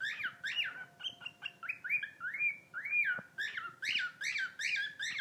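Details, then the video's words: Rescued pet bird singing guinea pig-like sounds: chirps and several long arched whistles that rise then fall, ending in a fast string of loud squeaky chirps. "New rescue bird sings the song of his people."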